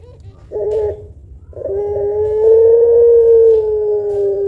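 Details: Puter pelung dove, a chatty bird with a long, thick-voiced coo used to stimulate other birds. A short steady hum comes first, then a long, smooth, level coo held for nearly three seconds.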